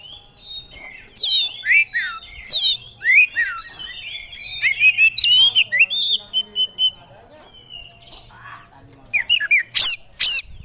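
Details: Kacer, an oriental magpie-robin, singing gacor-style with its isian fill-ins: a long rapid run of sweeping whistled slurs and chattering notes, a pause, then sharp harsh bursts near the end.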